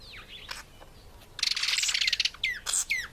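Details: African green pigeon feeding on apple; falling whistled notes, then a long buzzy, grating run of rapid notes near two seconds, ending with more sharp descending whistles.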